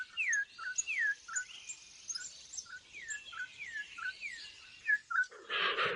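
A troupial gives short, bright upswept chirps about every half second over thin, high twittering, ending in a brief harsh rustle.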